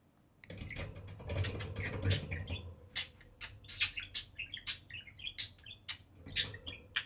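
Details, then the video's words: Two pet budgerigars playing atop their cage indoors chatter with a busy mix of high chirps, squeaks and warbles, with some low rustling from the birds moving about. "Budgie pair playing and talking on top of the cage"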